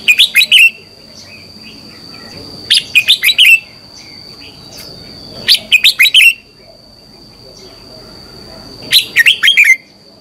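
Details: Red-whiskered bulbul song used in the morning to train birds: four short bursts of bright, rapid warbled notes, each ending on a falling slur and repeated roughly every three seconds, with a constant faint tone throughout.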